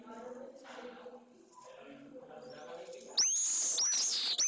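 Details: Newly hatched pallid swift chick in a nest in Jerez de la Frontera, Spain, during one of its first feedings: quiet murmuring background, then sudden loud shrill high screeches near the end.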